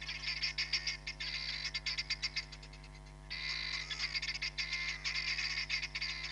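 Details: Hamerkop at Nkorho Bush Lodge, captured by a live camera on 31 July 2021: rapid runs of shrill, nasal yelping notes with a pause near the middle, broken by buzzy continuous stretches, over a steady low electrical hum.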